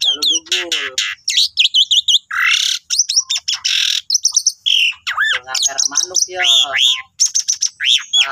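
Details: Loud, busy song of an Asian pied starling singing persistently, used as master song for training cage birds: a dense mix of sharp high chips, harsh rasping bursts, ringing whistles and arched upslurred notes, delivered almost without pause.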